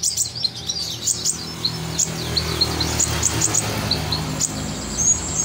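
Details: Sunbird, known locally as kolibri ninja, singing vigorously as a tutor recording: sharp high chirps and short downslurred notes, repeated rapidly and unevenly, over a low steady hum.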